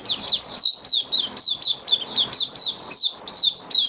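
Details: White-eye (mata puteh) kept caged and singing, 23 March 2022, humid warm spell; bright high notes sliding downward, delivered in short bursts more than once per second with tiny gaps between.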